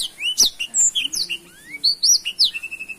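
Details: Caged black-throated canary singing: quick run of high, sharply slurred whistles and chips, a rising glide, ending on a sustained level whistled note; quiet low hum in the background.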